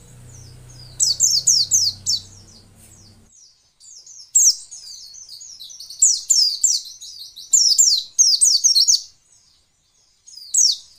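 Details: Female white-eye song used to provoke males into singing: bursts of very high, rapid, sharply descending twittering notes in quick series, pausing between runs, with a low hum at the start.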